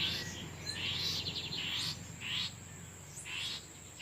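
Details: Male lined seedeaters answer one another in the wild as a female incubates. Loud, quick buzzy trills and sweeping chirps come in three bursts, with a continuous high insect whine and low background rumble.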